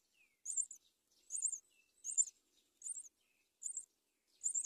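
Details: Myna nestlings on a palm tree, fed locusts by the mother; high, harsh, buzzy squeaks repeated about every 0.7 seconds, six in a row, with faint thin whistles between them.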